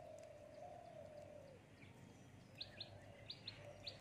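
A myna gives a long, low, wavering note, then a run of sharp, high chirps in quick pairs over a faint outdoor hum.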